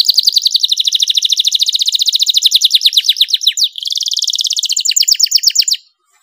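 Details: Canary singing to stimulate other canaries to sing: fast trills of repeated high notes, a steady rapid series shifting into a brief buzzy stretch, then another quick rolling trill before stopping.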